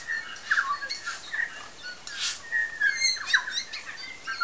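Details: New Zealand bellbirds (Anthornis melanura) feeding and singing on Tiri Tiri Matangi Island: several overlapping voices giving clear, bell-like whistled notes and quick chirps at mid-high pitch, with a brief rush of background noise.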